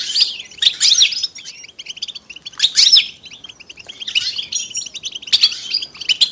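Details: European goldfinches calling together in the 'bitbita' and 'sitsita' styles, used to coax silent males to sing. Loud clustered bursts of high twitters and buzzy trills come roughly every second or two, with short quieter gaps.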